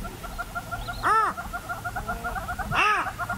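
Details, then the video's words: Purple roller in Kruger National Park giving two harsh, grating, arched calls rich in overtones, spaced about two seconds apart, over a steady background of rapid, ticking chatter from other small callers. "Purple Roller (Coracias naevius) Bird Call"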